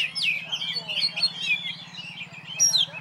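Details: Caged contest oriental magpie-robin singing solo on a hanging pole, pouring out rapid rising and falling whistled notes in an unbroken, rambling phrase above a constant low drone.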